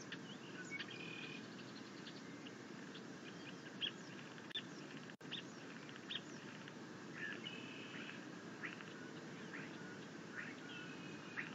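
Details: Bald eagle eaglet at the nest, dated 6.9.21, chittering happily as its mother delivers a fish while it tries to self-feed on a rabbit: bursts of high, thin, stacked chirps repeated through the clip over a steady low hiss.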